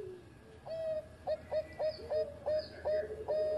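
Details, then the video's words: Bangkok zebra dove singing actively for training other doves: a rhythmic series of about eight short, bright coos, each with a sharp onset, spaced roughly every third of a second. "Raja Suara Mas Juara Idaman Perkutut Bangkok Gacor Buat Masteran"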